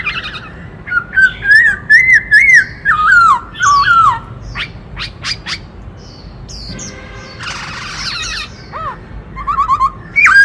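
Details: Black-throated laughingthrush singing and dancing with a varied, many-voiced song meant to rouse other birds. Rapid run of looping whistles and sharp chirps, then a pause, a buzzy rasping burst and more quick whistled notes.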